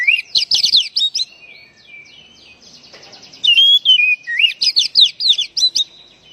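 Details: White-rumped shama used as a lure for silent or stressed birds; bright whistled phrases of fast zigzag notes, then softer sliding tones, then another loud burst of rapid sweeping notes.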